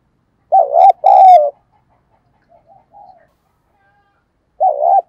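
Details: Decoy spotted dove cooing to lure wild doves, in the 'giọng thổ' voice style: two loud, throaty coos close together, a faint soft murmur after a pause, then another strong coo at the end.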